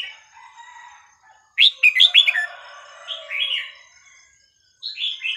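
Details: Red-whiskered bulbul with sweet, varied song played for young birds to learn: soft warbling, then a loud run of quick whistled notes, a mellow slurred phrase and a final two-note whistle.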